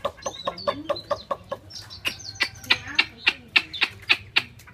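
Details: A captive Chinese hwamei in Hanoi, said to be swaying and nodding, gives sharp, clipped notes about three times a second, mixed with brief high whistled slurs early on, over a faint low hum.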